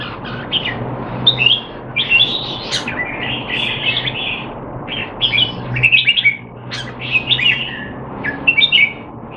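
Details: Singapore cage-kept Red-whiskered bulbul training while out of form, 25 December 2020; repeated bursts of fast, bright warbling and sharp chips through the whole stretch, low constant hum in the background.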